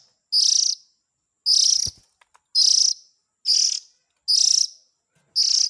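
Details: Lure call of Oriental magpie-robin chicks to attract the parents. Six coarse, buzzy rasps come about a second apart, with a short click and a thump in one gap.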